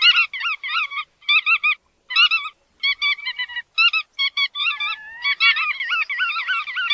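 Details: Chắt đuôi vằn uttering short paired and tripled nasal notes separated by gaps, then a smoother wavering run of calls toward the end.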